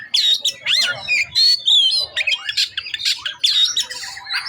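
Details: Oriental magpie-robin pouring out its repertoire: dense, loud, varied song of rising and falling whistles, sweeps and squawky notes with barely any pause.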